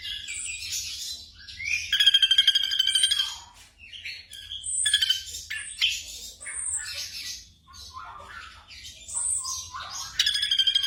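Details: Black drongo song for training caged birds at night: separate bursts of harsh rattling trills and squeaky chips with short silences between, the loudest rattle near the start; low hum in the background.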